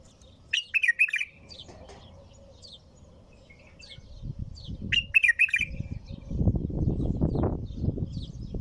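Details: Bulbul singing: two short, liquid warbled phrases near the start and around five seconds, each a quick run of rich notes, followed by a stretch of low rumbling background noise.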